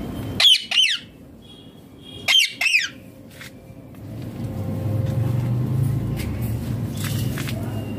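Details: Rose-ringed parakeet, a green ringneck, in its natural voice: two bursts of paired, harsh, downward-sliding screeches within the first three seconds, then a low engine-like rumble builds and fills the rest.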